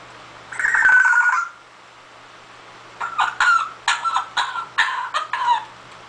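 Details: Pet parrot that has learned to imitate a cough: a harsh, drawn-out, noisy call, then after a pause a run of short, rasping, cough-like bursts, about eight of them in quick, uneven succession, indoors.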